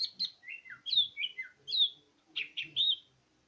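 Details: Greater green leafbird (cucak ijo) singing gacor, a rapid series of clear whistled phrases, some dropping and some rising, paired and repeated with short gaps, then fading to quiet.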